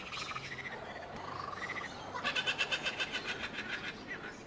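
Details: Laughing kookaburra calling: a run of rapid, harsh, rhythmic pulsed notes in the second half, building in loudness and then fading, after softer rising and falling hoots, with faint background hiss.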